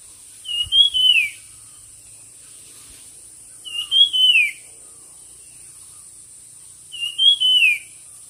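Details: Bird singing for a song competition: a short whistled phrase that rises, then slides down, repeated three times about every three seconds, over a steady high-pitched whine.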